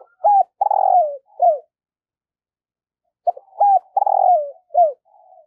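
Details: Spotted dove used as a decoy, cooing in the morning to attract wild doves. Two matching phrases of mellow, hollow coos, each built around a long falling note, about three seconds apart in otherwise quiet surroundings.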